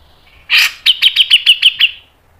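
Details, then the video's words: Grey-cheeked bulbul's fast, sharp training song: a loud harsh burst, then about eight crisp, evenly spaced chirps delivered rapidly before fading out. "MASTERAN CUCAK JENGGOT MBESET NGEPIK NEMBAK PANJANG SPEED RAPAT"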